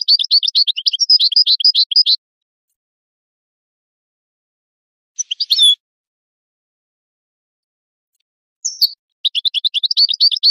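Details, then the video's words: Goldfinch song used for tutoring chicks and songbirds: bursts of fast, buzzy, high twittering separated by silences and one or two sharp isolated calls, with the twitter resuming at the end. "Analysis of goldfinch songs and their performance in education"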